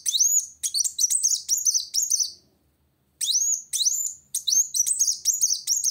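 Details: Sunbird in full song, seeking a rival: bursts of high, rising, slurred whistles in quick succession, a short silent pause mid-way, then the sweeping phrases resume.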